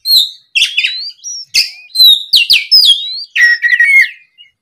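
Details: Afternoon song of an oriental magpie-robin used as a lure for other birds: bright, piercing whistles sliding up and down, interspersed with harsh chips, delivered in short loud phrases.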